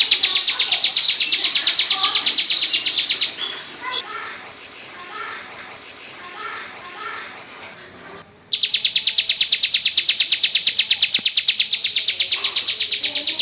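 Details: Female bar-winged prinia delivering loud ngebrem song for tutoring: dense, rapid high-pitched repeated notes, broken for about five seconds by faint background chatter and softer chirps, then the fast note series resumes.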